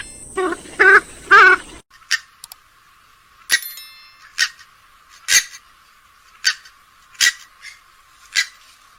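Purple swamphen gives three loud, nasal, honking calls, then a run of sharp, thin bursts roughly once a second.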